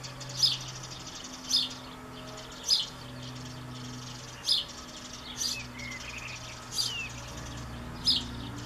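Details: European pied flycatcher youngster in a backyard begging for a parent in June 2013: sharp, clear high calls repeated roughly every second, over a low steady droning hum and a few other chirps.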